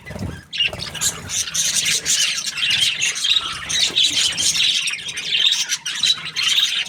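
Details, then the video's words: Cheerful budgie chatter: a short gap, then steady streams of high squeaky chirps and twittering warbles layered thickly over one another. "Happy Budgie chirping sounds"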